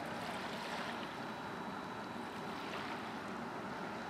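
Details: Steady broadband roar of surf and wind along a shore, with a faint constant hum and no calling bird.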